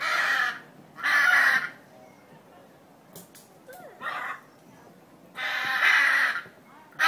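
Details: Blue macaws held at Brevard Zoo, Melbourne, Florida, give harsh grating screeches in bursts, two close together at the start, then a shorter one and a longer drawn-out one, over faint background murmur.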